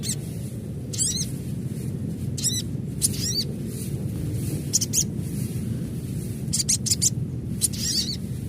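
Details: An adult Ruby-cheeked Sunbird's call, used to prompt other sunbirds to chatter rapidly. Bright, high chip clusters come at irregular intervals of one to two seconds, some in quick doubles, over a steady low background drone.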